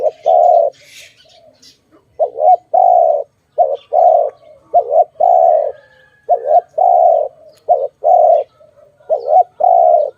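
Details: Repeated deep coos from a dove during bird trapping, each a brief note joined to a longer hollow one, continuing in a regular run for about ten seconds.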